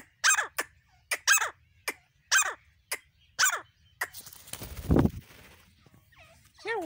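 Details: Female grey francolin calling: about eight loud, harsh, broadband notes, each with a sharp downward sweep, given roughly once a second. A burst of low rustling noise follows, then a faint wavering call at the end.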